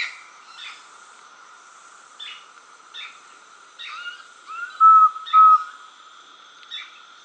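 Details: A least pygmy owl, Brazil's smallest owl, sings short, clear whistled hoots on one mid pitch, two loud notes half a second apart among fainter ones, with soft background chirps.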